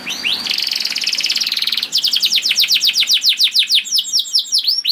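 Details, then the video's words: Canary song used as a master recording to prompt other canaries to sing: a fast buzzy trill, then a run of rapid descending whistled notes repeated about four times a second. "MASTERAN KENARI !! AMPUH DENGAR KENARI DIJAMIN KENARI ANDA BUNYI SEKETIKA #146 || VOICE OF CANARY"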